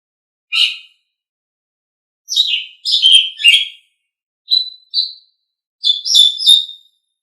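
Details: Asian pied starling singing as tutor material for caged birds: spaced squeaky and scratchy notes, then short clear whistles and a closing cluster of high chirps, with silent gaps between.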